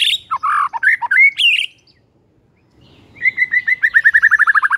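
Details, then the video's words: Morning song of a white-rumped shama meant to rile rivals: loud varied whistled and chattering phrases, a short silence, then a fast, accelerating series of repeated short notes. "HITUNGAN DETIK DI PAGI HARI BIKIN MURAI LAWAN AUTO NAIK EMOSI SEKETIKA"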